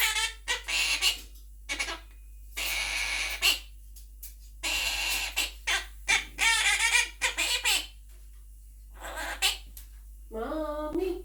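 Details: Pet monk parakeet (quaker parrot) talking and singing along with its owner indoors; harsh squawky bursts and chattering, talk-like phrases in quick runs, mixed with a person's voice and children's song music.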